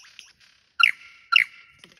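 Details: Lyrebird performance in the cool wet rainforest of Tarra-Bulga National Park, Victoria, Australia: a pair of strong, bright, harmonic notes about half a second apart, each dropping in pitch into a sustained whistle, with a faint hiss and light ticks between.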